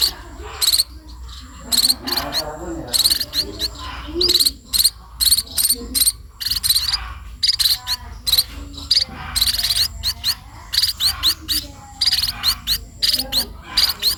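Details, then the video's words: Rapid, overlapping harsh begging chirps from sparrows at feeding time, dense and uneven, with soft background sounds between bursts. "burung pipit diberi makan"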